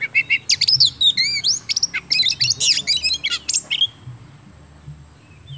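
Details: Oriental magpie-robin song from Indonesia, used to prompt other birds to sing: a fast run of varied loud whistles, sweeps and trills for about four seconds, then near silence with a faint steady high tone.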